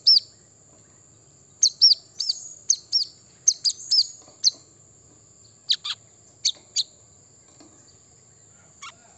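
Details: Brown-throated sunbird calling, used to provoke other birds into singing: a busy run of bright, high, hooked chirps in pairs, thinning out into a few scattered sharp notes, over a faint constant high hiss.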